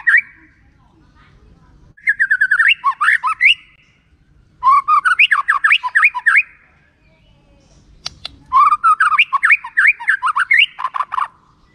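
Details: White-rumped shama song meant to lure other shamas into singing: three loud bursts of rich, fast warbled whistles sweeping up and down, separated by short pauses.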